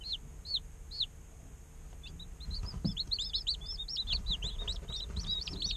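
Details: Day-old chickens in an incubator, a few separate high peeping chirps at first, then many overlapping chirps from several chicks crowding together, a steady faint hum and soft low rustling beneath.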